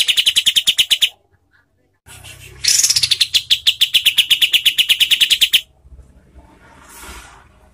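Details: A Cotton pygmy goose gives coarse, tightly spaced calls used as training audio for contest birds: rapid, harsh, high chirping notes, about ten a second, in two quick bursts separated by a pause, over faint background hiss.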